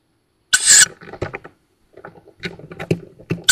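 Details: Young tawny owls at a nest in woods outside Szokolya, Hungary, filmed by nest camera on 7 May 2022 around fledging: one harsh, hissing shriek under half a second long, then scratching and shuffling noises at the nest.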